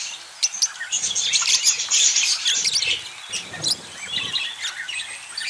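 Budgerigars chatter in a busy stream of high chirps, warbles and scratchy squeaks.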